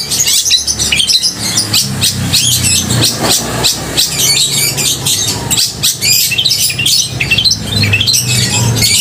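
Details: Long-tailed shrike singing loudly to stir emotion and the mating urge in other shrikes: a dense, fast run of harsh high chatter and clipped chirps, almost continuous, over a low background hum.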